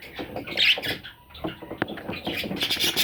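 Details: Parrot chicks calling indoors in a small room: short raspy squawks, with a louder harsh burst early on and more scratchy chirps near the end, over faint background rustling.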